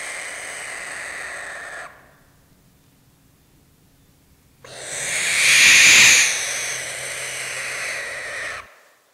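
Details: Barn owl giving a sustained defensive hiss: two long, harsh, breathy hisses, the first about two seconds and the second swelling louder over four seconds, with a short silence between.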